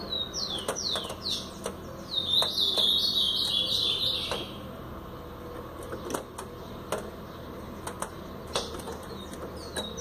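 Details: Paraná-style song of a brown-plumaged blue-black grosbeak: several short downslurred whistled notes, then a dense warbling phrase lasting about two seconds, followed by sparse clicks and thin chirps over low background noise.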